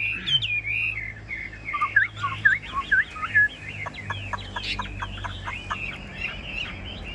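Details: Caged Chinese hwamei, a tame pet songbird, gives varied slurred whistles. A quick series of short dry chips follows, over low background hum.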